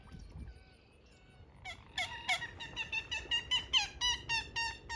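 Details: Common moorhen, a vocal wetland bird, giving a rapid series of about a dozen harsh, nasal, harmonic notes at roughly three to four per second, after a quiet start with faint tonal sounds.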